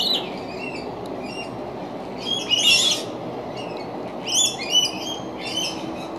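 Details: Yellow-tailed black cockatoo calling, with several drawn-out, harsh, wavering wails that come in two main bursts around the middle and latter part, over a steady, loud low rushing background.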